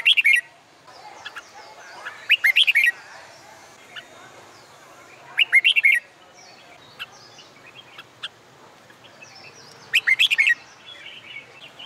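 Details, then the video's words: Red-whiskered bulbul in contest-song training on a sunny summer day, giving four loud, liquid warbled phrases spaced two to four seconds apart, with faint background chirping between them. "LUYỆN CHÀO MÀO HÓT ĐẤU/ CHIM CHÀO MÀO HÓT GIỮA NẮNG NGÀY HÈ"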